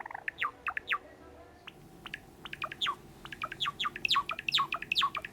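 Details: Pet sakura Java sparrow singing indoors: a fast, uneven run of short, sharp, downward-slurred chirps, about two per second, sparse at first and then packed tighter toward the end.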